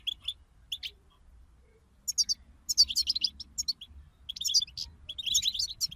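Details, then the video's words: European goldfinches in a collective 'bataba' twitter, said to push a quiet goldfinch into singing: scattered high chirps at first, then dense, rapid, tinkling twitter phrases rising in intensity. "أخرج حسونك من صمته واكتشف التغاريد المخفية لديه.. بتبتة رهيييبة وتحفيز خراااافي"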